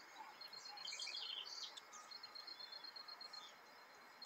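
A songbird's quick, jumbled run of high chirps and trills, used as a model song for young birds.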